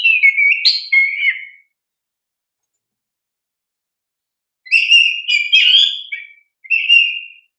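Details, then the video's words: Lively 'gacor' song of an oriental magpie-robin (kacer), played as a lure to stir young birds into answering: a warbled, whistled phrase, a pause of about three seconds, then a longer varied phrase of sweet slurred notes and a short whistled coda. "Pancingan Kacer GACOR Cocok untuk Terapi Burung Kacer Bakalan agar LANGSUNG RESPON"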